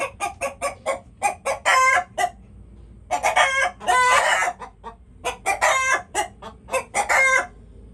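Chickens cluck in quick bursts of short harmonic notes, with a few longer drawn-out squawks mixed in; a low background hum underneath.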